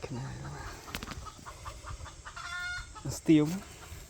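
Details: Red junglefowl, wild, described as having a big hoarse voice, recorded 3 May 2025: scattered clicks and faint noise, then one loud, low, rough call near the end.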